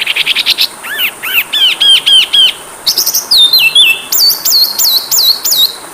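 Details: Oriental magpie-robin (kacer) training song loaded with fill-in phrases: fast chips, arched whistled notes repeated, a stepped falling whistle sequence, then high looping whistles repeated about twice a second.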